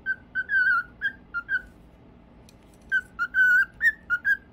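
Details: A cockatiel whistling melodically: pure, sustained tones in a short tune of held and wavering notes, a pause of over a second, then the phrase resumes with a slight upward flick.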